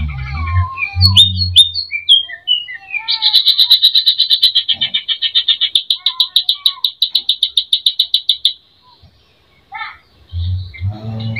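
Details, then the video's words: Greater green leafbird singing a filler-rich provoking song: scattered slurred whistles, then a long fast series of clipped high chips lasting over five seconds, briefly silent, low thudding at the edges. "Pancing emosi Cucak ijo gacor full isian"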